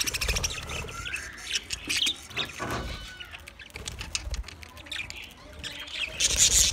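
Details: Budgerigars, a group of twenty pairs, chirping in scattered high, short notes mixed with fluttering wing flaps and soft low thumps.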